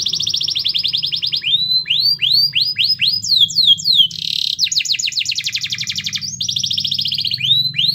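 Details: Canary song to trigger singing in a quiet canary: steady trill, then slow swooping upslurred whistles, a buzzy burst and fast rolling trills, all high and loud.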